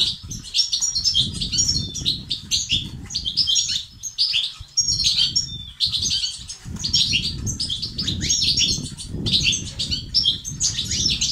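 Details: Stimulation song of European goldfinches in the 'bitbita' and 'sts' styles, meant to help male birds sing and be active: lively, jingling high twitters repeated in clustered runs over constant low noise.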